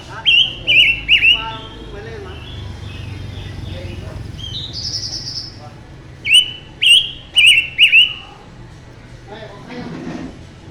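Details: Mutant silver-eared mesia in forceful song: two bursts of three or four ringing, warbled whistles separated by a quiet pause, with a softer higher note between them and low background noise throughout.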